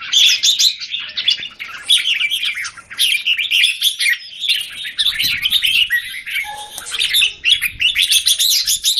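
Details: In Singapore, caged red-whiskered bulbuls compete, a cage A bird taking on several others, 17 January 2019; near-continuous, busy chattering and whistled notes, one brief lower note midway.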